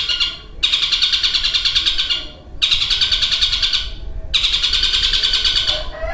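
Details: Long-tailed shrike kept as a songbird, imitating a lovebird's long chattering among its copied sounds; sustained harsh rattles lasting nearly two seconds each, three bouts with brief pauses.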